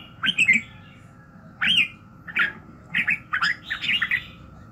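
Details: Red-whiskered bulbul morning song of well-spaced, liquid, slurred whistles, single or in quick pairs and triplets, separated by pauses of about half a second to a second, with a faint hum.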